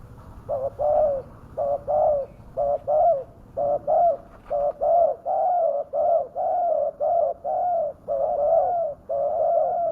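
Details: Spotted dove coos played as a lure so that wild doves come straight down, called fierce: a steady series of paired coos, a short note then a longer level one, repeated roughly every second for ten seconds.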